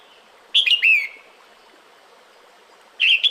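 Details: A breeding-season female red-whiskered bulbul calling the male: a three-note whistled phrase ending in a falling slur, then a second phrase starting after about two seconds of quiet hiss.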